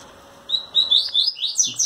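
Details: Fast, bright phrase from a brown-plumaged double-collared seedeater kept in captivity, sung with trembling wings toward a female: repeated slurred whistles stepping upward in pitch, ending with a faint low murmur of a man's voice.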